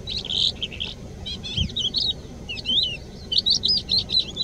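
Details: A calandra lark sings in Bardenas Reales, a rich, varied high-pitched stream of twittering notes, quick slurred whistles and rattling phrases delivered almost continuously, with faint wind underneath.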